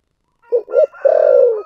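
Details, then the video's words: One 'thổ sấm' style phrase from a spotted dove, two quick hollow coos and then a drawn-out falling coo, with a thin steady whistle-like tone behind it. "cu gáy giọng thổ sấm"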